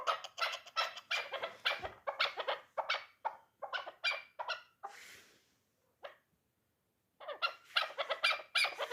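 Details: Three-year-old hunting chukar partridge, described as a dulan bird, giving fast runs of harsh, broadband chuk notes several per second, pausing briefly before starting again.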